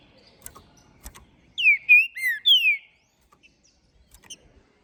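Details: Green-winged saltator, a ringed captive-bred bird from Minas Gerais, singing hard after its moult: a loud phrase of four clear whistled notes, sliding down then up, about one second long, with faint clicks and knocks around it.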